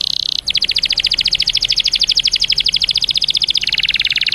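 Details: Canary lure song to get other canaries singing: a brief buzzy note, then a long fast rattling trill of crisp repeated notes, dropping slightly lower near the end, with faint background hiss.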